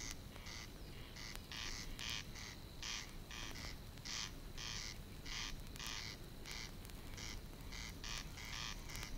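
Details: Corncrake calling from the water-meadows and coastal pastures of Matsalu, USSR, in a 1979 field recording. Dry, rasping double notes repeat steadily, about two per second, against a low background rumble.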